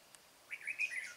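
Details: Red-whiskered bulbul during trapping of a wild bell-voiced bird: one quick bright tick, then a fluid, gurgling warble of linked slurred notes lasting about half a second.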